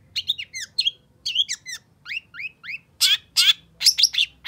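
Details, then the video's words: Long-tailed shrike song aimed at restarting a silent bird: paired rising chirps repeated in short groups, then louder harsh, buzzy bursts near the end, quick and irregular. "Suara Cendet Pentet Gacor Emosi Sangat Cocok Buat Cendet Macet Agar Cepat GASSS"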